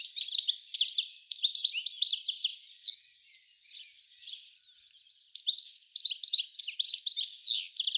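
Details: A European goldfinch (Carduelis carduelis) sings a rapid, tinkling jumble of bright twittering notes and liquid trills, pauses about two seconds, then resumes, in a garden at Uddel, the Netherlands, on 10 April 2013.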